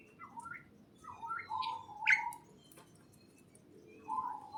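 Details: Soft chirps and short warbled notes from birds in a greenhouse rise and fall above a low, constant background rumble.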